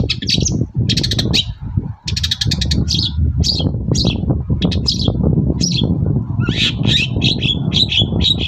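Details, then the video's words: Morning song of a lively long-tailed shrike, used to provoke other shrikes into replying: bursts of fast rattling trills alternate with short harsh squawks and chattering phrases, over a constant low rumble. "BURUNG CENDET GACOR PAGI HARI BIKIN CENDET MANAPUN LANGSUNG NYAUT"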